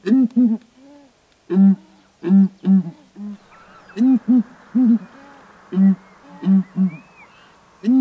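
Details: Southern ground hornbills (Bucorvus leadbeateri) perched on a branch in Kruger National Park duet with deep, hollow booms in pairs and triplets every second or so, with a faint hiss and a thin whistle behind them.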